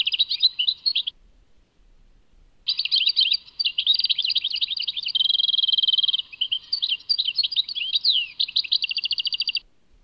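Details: European goldfinch singing Tadmait song: a brief twitter, pause, then an extended phrase of busy chattering notes, a level buzzy trill and quick rising and falling slurs ending in a rattle.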